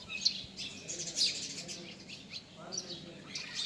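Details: Quick high-pitched bird chirps, sharpest near the start and around one second, then softer scattered notes over a low murmur.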